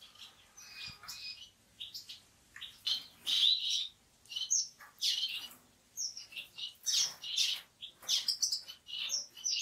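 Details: Orange-cheeked waxbill (Estrilda melpoda) giving bursts of thin, high chirps and twitters in short clusters about every second, with brief quiet gaps between and nothing else clearly heard.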